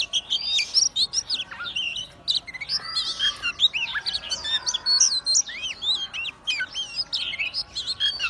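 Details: Oriental magpie-robin in full song, spreading its tail and swaying. Loud, varied phrases of sharp whistles, twisting slurs and rapid chattering notes follow in quick bursts. A lower, softer warbled passage appears near the middle.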